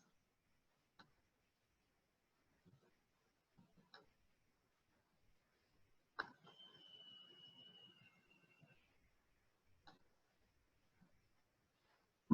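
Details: Red-tailed hawk (Buteo jamaicensis) gives a single loud, hoarse, high scream that slurs gently downward over about two seconds, with faint clicks and room noise around it.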